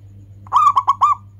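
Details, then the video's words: Local zebra dove giving its anggungan cooing song, used as a lure to prompt other birds to sing: one short phrase of four mellow, hollow coos, the first longest, over a steady low electrical hum. "ANGGUNGAN SUARA PERKUTUT LOKAL | bagus buat pancingan"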